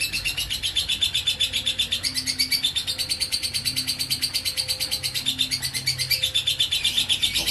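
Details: Konslet-style ngekek from a lovebird: sustained rapid high chattering trill, notes repeated steadily several per second, slightly shifting in pitch partway through, over soft low background tones.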